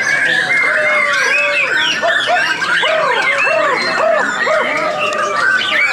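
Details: Many white-rumped shamas at a songbird competition in Brunei on 7 September 2014 sing at once: a dense, overlapping chorus of rich arched whistles and fluty phrases repeated every half second or so.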